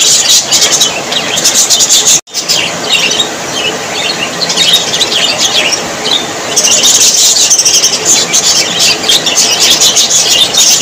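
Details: Happy budgerigars, called Australian parrots, keep up busy overlapping chirping and twittering, high and scratchy. A brief near-silent break comes early, then the chatter returns, thickening toward the end.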